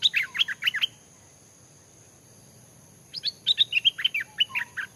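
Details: Newly caught Stripe-throated Bulbul, caged only a few days and hung in forest near home while being trained as a decoy bird, gives two quick bursts of bright chattering, warbled notes separated by a two-second pause; steady high insect-like whine throughout.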